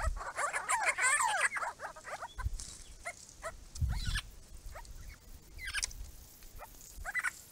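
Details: At a pond, part of a monitored group of Grey-crowned babblers breaks into a dense burst of harsh, twisting chatter. Scattered sharper notes follow, along with some low thumps and rustling.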